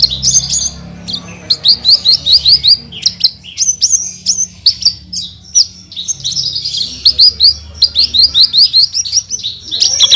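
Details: Branjangan, Horsfield's bush lark, in energetic 'tembakan' song for songbird tutoring: high chattering phrases of quick sharp notes in short bursts, separated by brief pauses, some slurred downward whistles, with a faint low hum beneath.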